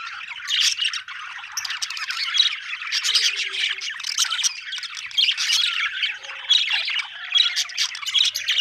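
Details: Happy budgies chirping in a busy, continuous chorus of scratchy squawks, clicks and warbled twitters that overlap and rise and fall in loudness throughout.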